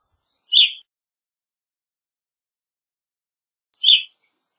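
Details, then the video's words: An Evening grosbeak (Coccothraustes vespertinus) gives two loud, burry, slightly descending call notes about three seconds apart, with silence between them. "Evening Grosbeak Singing, Grosbeak Calling - Pepitero Norteño Canto"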